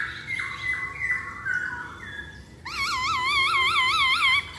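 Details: Masked laughingthrush singing as a lure to prompt other birds: short level whistled notes, then a long run of clear wavering notes repeated several times a second.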